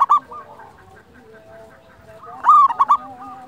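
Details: Local wild zebra dove song for luring and training. A short loud coo opens the clip, quiet rolling coos from other doves follow, then a strong four-note phrase of bouncing ringing coos plays.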